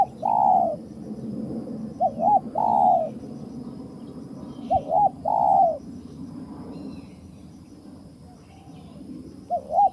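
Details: Wild spotted dove cooing in a trapping setting: short wavering double notes, each followed by a longer, husky, slightly falling coo, repeated several times over a low rumbling background.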